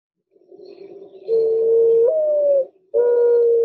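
Mourning Dove giving its soft, hollow, low coo. A long note lifts briefly in the middle, then a second drawn-out note follows after a short pause.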